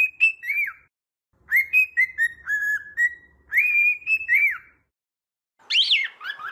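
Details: Cockatiel song of clear whistled phrases. Level and slightly falling notes end in arched downslurs and are repeated with short pauses. A loud harsh chirp follows at the end.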